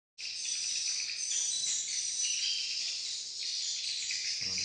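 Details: Swiftlets in Malaysia, many birds together: a dense, unbroken chorus of high, shrill twittering chirps that overlap throughout, with a faint low rumble near the end.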